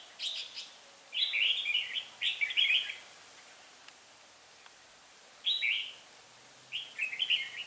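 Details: Red-whiskered bulbul decoy from Hòa Bình in 'ché' style song during trapping, 18 December 2016: four rapid, chattering warbled phrases of about a second each, separated by pauses, with faint high chips before the first.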